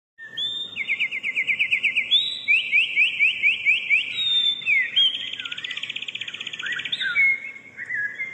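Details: Wren song: loud, rapid, high trills and buzzy rattles, delivered in fast runs with brief whistled notes between them, about two a second.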